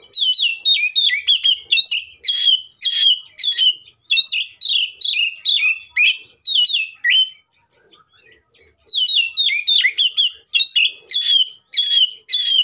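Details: Oriental magpie-robin giving a full, agitated fighting song to trigger other magpie-robins: long sequences of loud, varied whistles and sharp slurred notes, a brief lull near the middle, then the rapid phrases resume.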